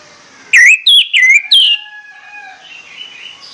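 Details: Orange-headed thrush in morning song, delivering four loud, clear whistled notes in quick succession, each slurring up or down, followed by softer fading whistles and faint background chirping.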